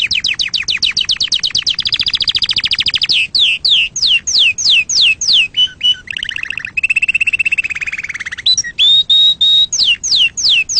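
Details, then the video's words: Canary singing to stir other birds and train young chicks: rapid high trills, a buzzy rolling section, descending swept notes, a lower steady roll and a pure whistled tone, all delivered in quick succession. "صوت تغريد عصفور الكناري لتهييج طيورك وتعليم الفراخ"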